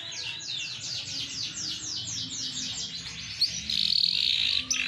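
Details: Green AFS big-size canary singing. Steady descending sweeping notes repeat several per second, then a loud, harsh, buzzy trill follows. A faint hum runs underneath.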